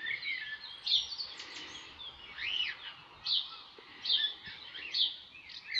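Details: Cockatiels playing and bathing outside in a yard in summer, giving sharp, high chirps and short whistled notes in irregular bursts over faint outdoor background noise.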